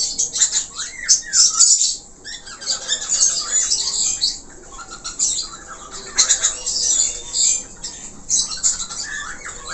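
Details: Budgerigar warbling: bright scratchy chatter and curved whistled notes, a short break near two seconds, then the busy song resumes with more arching whistles and squeaky fragments.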